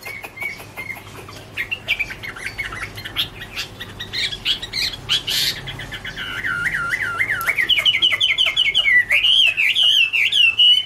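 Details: A Chinese hwamei (Garrulax canorus) sings loud, varied whistled phrases in autumn, opening with sharp chips and building into rapid wavering, rolling notes that rise and fall.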